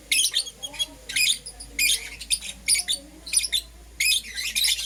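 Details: Harsh, squawky lovebird chirps from pet Euwing green opaline and lutino birds in the morning, delivered in longer rough bursts with short gaps, fairly dense throughout.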